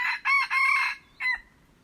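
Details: Crow of a red junglefowl, dated 21 February 2025, delivered as harsh, ringing bursts that run together, then a brief gap and one short closing syllable that drops away.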